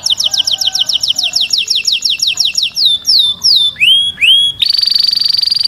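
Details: Canary singing for mating: a rapid run of repeated downslurred chips, slowing into broader descending then upward-curving whistles, ending in a steady buzzy drone.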